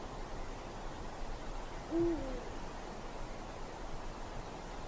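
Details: Single short, low, level hoot of a Eurasian eagle-owl on a dark winter night in forest, fairly faint against a steady quiet background.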